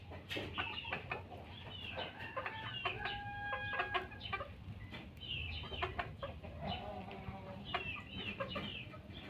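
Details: Junglefowl clucking in quick runs of sharp notes, with several longer flat, tonal calls in the middle, over a constant low hum.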